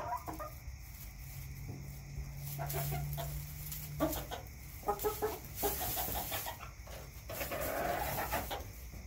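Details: Chickens in a backyard cluck in short bursts of two or three low, nasal notes. The bursts come near the middle and end, with a steady low hum underneath.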